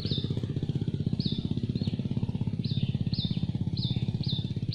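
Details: Hungry Yellow-vented bulbul nestlings begging for food in a nest on a tree: short high downslurred squeaks repeated irregularly, about seven in five seconds, over a loud steady low engine rumble.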